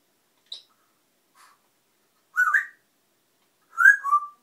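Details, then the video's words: Noisy African grey parrot kept as a pet, uttering a brief high chip and a faint note, then two louder, rough, squawky whistles a little over a second apart, the last dropping into a short clear tone. "African parrot"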